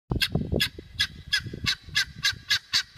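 Helmeted guineafowl giving a harsh, grating rattle of rapid notes, nearly three per second, over a low rumbling background.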